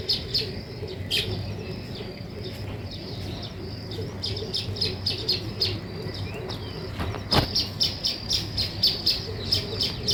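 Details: Weaver birds building a nest chirp rapidly and steadily, with short, sharp notes repeated in quick runs. One loud click stands out midway.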